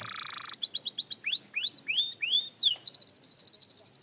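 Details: Beginner canary's practice song opening with a steady low buzz, then a series of chips and arching upward-slurred whistles, ending in a rapid, very high, evenly pulsed trill.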